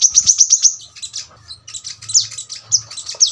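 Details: Six quick, piercing high notes from a brown-throated sunbird open the phrase, followed by scattered sharp chips and slurred downward notes over a low background hum.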